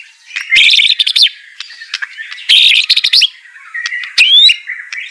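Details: White-rumped shama song played to coax a reluctant bird into singing: dense loud bursts of fast, high, jumbled notes, alternating with softer twittering and an upward whistled slur.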